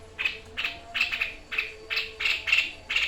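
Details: White-chested babbler in full voice on a training recording, 'tembakan' shooting style: short harsh rasping notes repeated roughly every third of a second, fairly quiet.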